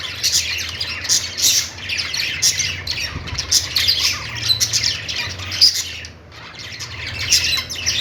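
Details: Budgies chirping happily: animated squawky warbling that dips into a short near-silence about six seconds in, then resumes with bright chirps.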